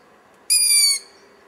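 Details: Owl chick hidden in a tree about 100 metres away, heard at dusk in low light: a single harsh, hissing screech lasting half a second, rich and rough with a slight downward slide at the end.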